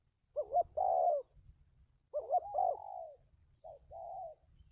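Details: Spotted dove decoy for trapping, dated 1/3/19, giving stammering coos: a wavering double lead-in, then drawn-out falling notes, with a softer, shorter phrase at the end. A faint low rumble runs throughout.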